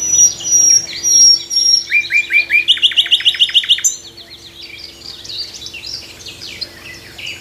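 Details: A nightingale's morning song from a tree: thin high whistles, a few rising slurred notes, then a quick run of clipped repeated notes, ending in softer, more distant twittering.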